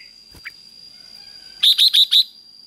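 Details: Red-whiskered bulbul ché song for stirring birds to sing: four quick, bright, evenly spaced notes after a couple of faint chirps, over a steady high electronic whine.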